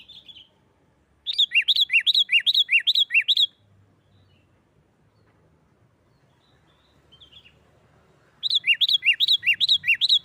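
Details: Sooty-headed bulbul singing the noisy 'nggaruda' fighting style meant to stir other bulbuls to sing: two rapid bursts of about ten ringing, downward-slurred notes, each lasting roughly two seconds and separated by a long near-silent gap with faint chirps.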